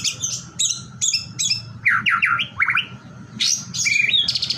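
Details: Song of a white-rumped shama meant to make other shamas sing along: high chattering buzzy notes open, followed by a run of slurred downward whistles, then harsh rasping phrases, with a low hum behind.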